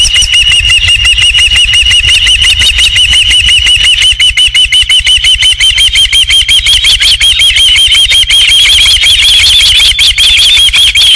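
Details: Rapid, insistent chirps from an osprey at the Dunrovin Ranch nest on the evening of 27 July 2016, when a third fish arrived. The notes run about three per second and rise slightly in pitch, with constant wind rumble behind.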